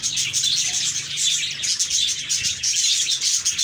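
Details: Dense, cheerful budgerigar warbling in which rapid high chirps and squeaks pour out steadily, with a low background hum throughout.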